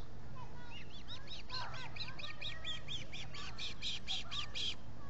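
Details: Osprey calling at the Salt Point nest, Finger Lakes, US, on 19 July 2021 with three birds at the nest, recorded by a solar camera. A long run of about fifteen high, sharp arched chirps repeats steadily, with faint birdsong and a low hum.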